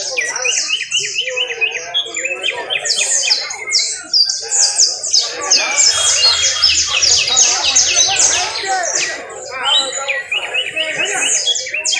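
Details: Canary trill from Valledupar: lower rapid chattering notes alternating with very high, dense buzzy rolls, the song continuing without break for the whole stretch, with faint low hum in the background.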